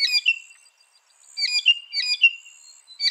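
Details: Mockingbird producing scratchy, chattering song phrases with quick whistled slurs, in short bursts separated by brief pauses.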